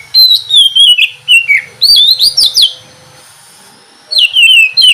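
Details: Oriental magpie-robin (kacer) singing in the ngeplong style, a morning recording used to coax lazy birds into song: loud, clear whistled phrases sliding downward, given in quick bursts with a pause of about a second before the next run.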